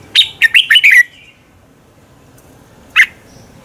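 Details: Morning song of a red-whiskered bulbul, used as decoy singing to stimulate birds into competitive singing: a fast burst of five clear chirpy whistles, silence, then one lone note.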